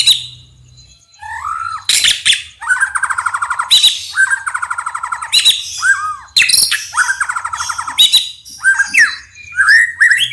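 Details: White-rumped shama song for stirring other birds: a pattern of loud harsh clicks followed by fast rattling trills, repeated about every two seconds, with short arching whistles between and a low hum beneath.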